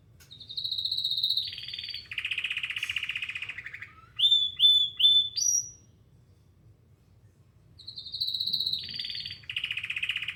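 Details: Canary song: a bright high buzz, then a long rolling trill, three quick rising whistled notes and a higher slur, a pause, then the buzzy trill phrase again.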